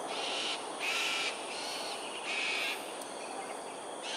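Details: Cockatoos performing an aerial display, Sungei Ulu Pandan, Singapore, 7.43am, 13 January 2022: loud, grating screeches in quick succession, about five harsh bursts within four seconds, over background hiss.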